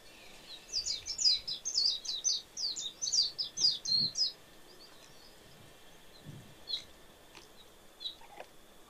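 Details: Warbling white-eye in Hawaii, where it was introduced, gives a quick burst of about a dozen thin, high twittering notes over three seconds, then a few scattered sharp chips.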